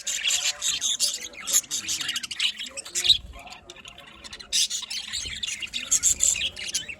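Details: Pet budgerigars in a small colony chattering nonstop, a busy mix of high scratchy warbles, squeaks and chirps from several birds, slightly quieter in the middle stretch.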